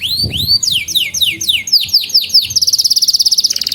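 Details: Vigorously singing canary, used to teach young canaries and coax silent ones: rising whistled swoops, then a fast run of descending high slurred notes, ending in a rapid, even buzzy trill.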